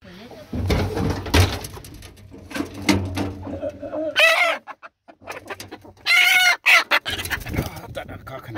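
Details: Backyard chickens rushing out of their coop in the morning: scattered clucks and squawks amid rustling and movement noise, with a couple of loud harsh squawking bursts near the end.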